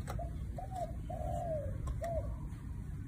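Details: Spotted dove, one-kuk (1 กุก) coo style: a short coo, a rising-falling coo, then a long sliding coo trailing downward, closed by one short coo; steady low hum throughout.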